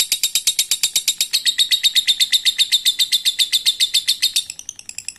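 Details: Lovebird performing a long ngekek, a trill said to draw other birds into the same song. Rapid, regular rattle of bright clicky pulses lasting over four seconds, then softening and trailing off into scattered weaker notes.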